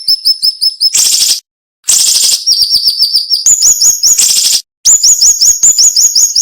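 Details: Cinnamon-bellied flowerpecker song, a sharp, dense tutor recording for training songbirds: rapid runs of thin, high ticking notes, interrupted by bursts of harsh, hissing buzz and brief silences.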